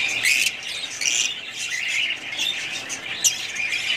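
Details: Budgerigars, several birds, giving scratchy high squawks and chirps in overlapping bursts, roughly once a second, over steady twittering chatter.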